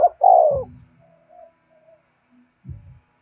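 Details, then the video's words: Spotted dove calling to attract wild doves: a sustained, mellow coo at the start, then faint soft notes and a few low dull thumps. "cu gáy thúc bổi và gáy gọi cực đỉnh, tiếng chim cu gáy hay và nhạy bổi"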